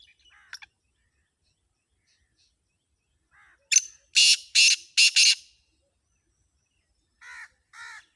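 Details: Sindhi black francolin (kala tetar): after scattered soft notes comes a loud harsh sequence of grating bursts, then quieter, tonal, ringing notes twice near the end.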